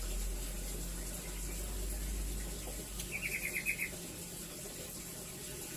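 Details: Rambatan (velvet-fronted nuthatch) serving as a song model for white-rumped shamas and other songbirds, giving a brief rapid trill of about eight bright repeated notes after a quiet stretch, with faint background hiss and low hum.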